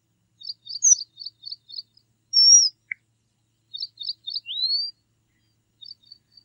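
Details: Red avadavat calling: quick runs of tiny high chirps in clusters, broken by a clear thin whistle, a short rising slurred note and a few soft final chirps, with a silent background.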